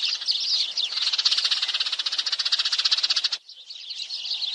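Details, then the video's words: Sparrow calls used to lure sparrows into traps: a fast, rattling chatter of high chirps at about four per second, stopping suddenly, then softer scattered chirps. "BẨY CHIM SẺ - TIENG SE MR TRI - tiếng chim sẻ"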